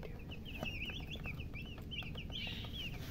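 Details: Chicks, described as baby hens, giving thin high chirps in quick uneven series, each a short rising-falling whistle, over a steady low background rumble.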